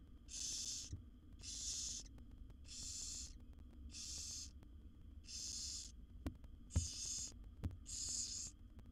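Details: Seven wild barn owl chicks in a nest box, fed by their mother, make drawn-out breathy hissing snores, seven evenly spaced bursts with a few soft clicks and knocks between them.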